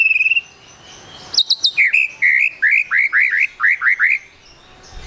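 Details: Trotol-style song of a white-rumped shama, used as a lure for quick singing: a thin high whistle, brief ticking notes, then a steady series of about ten rising, looping whistles in quick succession.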